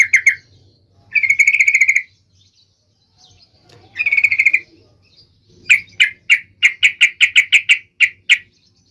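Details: Trucuk, the sooty-headed bulbul, singing intensely and sharply to provoke other trucuk birds into song. Short rattling trills of rapid notes, then a quick run of a dozen separate sharp chips with faint low background hum.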